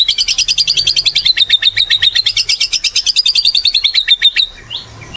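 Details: Energetic white-rumped shama pouring out a long rapid buzzy trill, dozens of fast high pulses in one unbroken run lasting over four seconds, ending with a short rising note; played to stir other shamas to sing.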